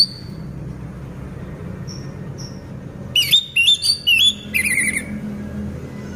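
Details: Orange-headed thrush, caged and in moult yet still singing eagerly, delivers a short burst of four or five loud upslurred whistles after a quiet stretch with two faint high peeps; a low background hum runs throughout.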